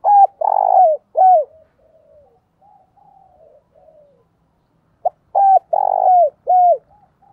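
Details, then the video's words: Spotted dove used as a decoy bird, cooing to call other doves: loud, clear, hollow coos in two bursts, each a low buzzy note followed by downward-bending coos, with soft quieter coos between the bursts. "Chim Cu Mồi gáy gọi bổi và mồi hay nhất hiện nay"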